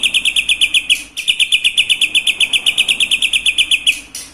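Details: Shama singing a fill of imitations of lovebird, "kapas tembak" and "cucak jenggot": a fast, steady train of sharp high double-toned chips, roughly four each second, briefly broken twice, with no other sounds.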